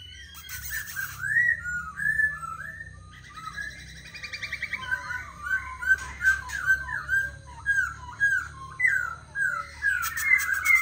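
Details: A tame, captive Black laughingthrush sings and displays while set on a table, giving a rich run of loud, varied whistled notes, some rising and falling, broken by a few harsh, rattling bursts.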